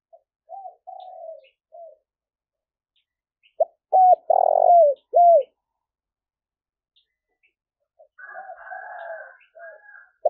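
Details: Cooing of a spotted dove used to attract wild doves: soft opening coos, a quiet gap, then a loud burst of three strong hooked coos, then softer layered cooing toward the end.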